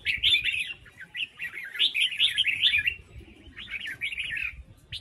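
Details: Female red-whiskered bulbul from Huế singing to spur wild-caught males: near-continuous chattering warble of quick up-and-down notes in two long runs separated by a short gap, with low background rumble.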